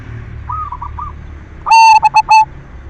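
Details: Silver zebra dove giving lure song to prompt other doves to sing: faint distant cooing, then one strong ringing phrase of a rolled note followed by three rapid clipped notes.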